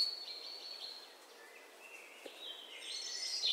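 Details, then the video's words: Garden birds at a bird feeder give thin, high calls, long drawn whistles and faint twittering notes, several overlapping, over a soft outdoor hiss. "Peaceful Garden Wildlife Sounds From Bird Feeders"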